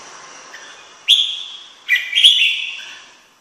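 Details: Red-whiskered bulbul giving two short phrases of clear, liquid whistled notes about a second apart, the second phrase a quick doubled warble fading away, over quiet hiss.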